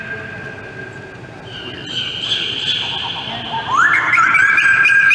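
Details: A white-crested laughingthrush at Brookfield Zoo, Illinois, on 14 December 2015 gives a sharp rising whistled note, then a run of loud, quick, chattering notes, over a steady background hiss.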